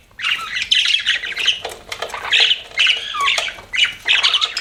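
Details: Pet budgies give rapid squawky chirps and harsh chatter in short bursts, with a few lower descending notes mixed among the high, rasping calls.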